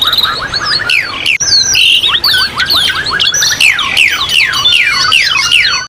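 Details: Masteran therapy recording for training a pet Asian pied starling, with mountain nature ambience: dense whistled chatter, then a steady series of sharply falling whistled notes repeated about twice per second, over background birdsong.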